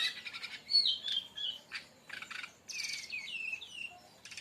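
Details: Brown-chested jungle flycatcher delivering rapid 'tembakan' song meant to lure or teach other birds: a jumble of high slurred whistles, dry rattling clicks and twittered runs, swelling into a long varied phrase near the end.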